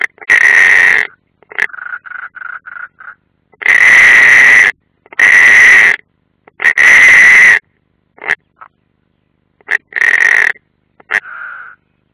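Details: At a nest on Latvia's Ādaži training ground, 30 June 2016, European rollers give long harsh rasps about a second each, repeated, with softer rapid stuttering notes between them; an unringed bird is among them.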